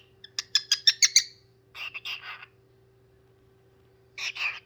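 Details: Parrot singing: a quick burst of six sharp chirps, then a short cluster of buzzy notes and a final harsh squawk after a silence, with a faint steady hum behind.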